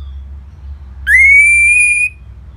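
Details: Orange-headed thrush in ngeplong style, a lure song meant to make caged birds sing: a single long, clear whistle that sweeps up sharply, then holds a steady pitch for about a second, over quiet low hum.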